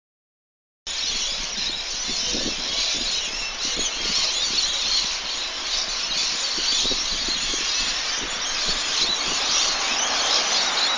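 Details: Lorikeets chirping in the evening, a dense, continuous wash of shrill screeching and chattering from many birds that starts abruptly and holds steady throughout, with faint low rumbling underneath.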